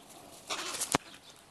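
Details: Young crows from a late but unusually large brood, many gathered together quarrelling and squabbling; a single short, harsh, raspy call of about half a second ending in a sharp click, over faint background hiss.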